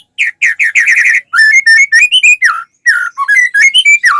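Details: White-rumped shama in steady song meant to start other shamas singing: a quick run of rich whistled notes flowing into a varied, warbling sequence of slurred whistles.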